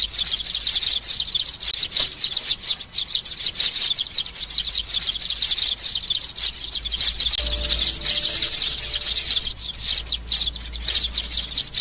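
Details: Recording of young sparrows meant to lure birds down to glue traps. An unbroken stream of shrill, excited chirping runs throughout, with faint steady tones in the background during the later part.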